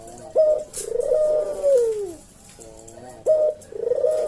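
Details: Collared dove (puter jawa), kept as a cage bird, giving its kuk-deruk coo in slow senggang style: a sharp opening note, then a drawn-out mellow coo sliding downward, the phrase starting again after a pause.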